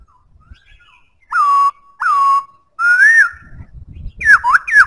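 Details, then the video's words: Faint soft notes lead into two loud level whistles and an arching phrase from a White-browed laughingthrush, ending with fast swooping down-slurs over low background rumble. "Khướu bạc má hót cực hay"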